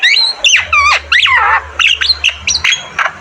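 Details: Javan myna delivering harsh, squawking notes mixed with down-slurred whistles and buzzy fragments in quick bursts, about a dozen notes in three seconds, over a low background hum.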